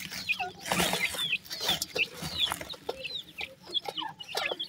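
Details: Grey francolin chicks, called dakhni or irani teetar, calling sweetly: quick high chirps and short slurred peeps repeated irregularly, mixed with scratchy rustling and soft thuds.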